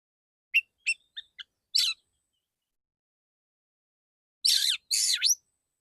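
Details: Male white-rumped shama giving a few short ticking chips, a pause, then two loud harsh rasping bursts with downward-curving whistles.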